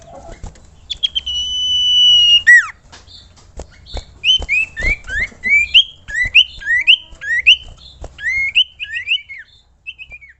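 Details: Common iora calling so that other ioras join in singing. A long, level sustained whistle ends in a sharp downward slur, then about a dozen quick rising and falling whistled notes follow in an uneven chattering series.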